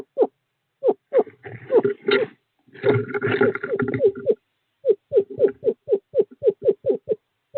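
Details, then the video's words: Male screech owl calling a female to an owl box, 11 February 2023: bursts of quick downslurred notes broken by two stretches of rough scraping and rustling noise, then a clean rapid series. "Male screech owl calls female to owl box 5"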